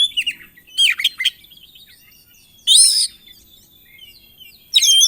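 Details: Excited Oriental magpie-robin song with filler phrases, meant to make other kacer answer: three loud bursts of looping, buzzy, slurred whistles separated by quieter soft twitters.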